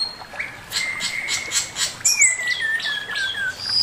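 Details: Master song from a male Chinese hwamei, with a long level whistle that later slides slowly downward, overlaid by quick buzzy notes and a bright rising flourish partway through.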